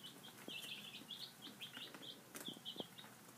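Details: Five-day-old baby chicks at breakfast, a group of them giving short, high, thin peeps in quick overlapping runs, with scattered soft clicks and pecking taps and light rustling underneath.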